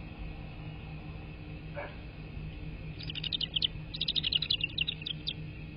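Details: American bald eagle at a wild nest, filmed by a live nest camera on 3 March 2024 at 13:54: a burst of thin, high chittering notes in quick uneven series from about three seconds on, over a steady low rumble.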